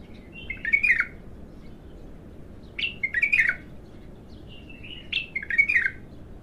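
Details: First song of an untrained bulbul: three rich warbled phrases, each a rising whistle followed by tumbling, slurred descending notes, about two seconds apart, with a low background hum.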